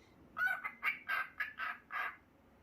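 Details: A male cockatiel chatters in a string of six quick, scratchy, harmonic syllables, imitating human words such as "good boy" and "very good".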